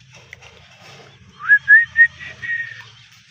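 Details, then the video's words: Ringneck parrot giving a short run of three clear, rising whistled notes in quick succession, then a fainter wavering whistle, over a steady low hum and soft background rustling. "Talking parrot natural 🦜sound Ringneck parrot"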